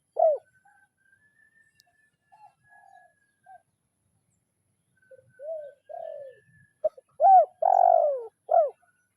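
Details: Spotted dove calling a rival, kuk 0-1 lure style: one early coo and faint distant notes, then near the end a run of short coos ending in a long, drooping coo and a final hooked note.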